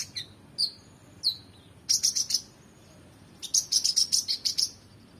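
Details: Oriental magpie-robin singing heatedly, recorded to tutor competition birds: a few downslurred whistles, then two bursts of fast, rich chattering notes tumbling rapidly together.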